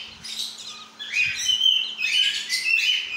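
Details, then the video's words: Talking lorikeet kept as a pet, producing loud, rapid, scratchy high chirps and rising squeaks in close succession, about two per second, over a quiet low electrical hum. "Talking Parrot Lorikeet"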